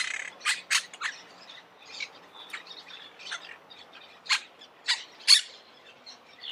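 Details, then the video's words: Monk parakeets giving scattered short, sharp, scratchy chips and squeaks, with a few louder notes standing out among quiet chattering. "Canto de la Cotorra - Sonido de Cotorras - Audio De La Cotorra Argentina"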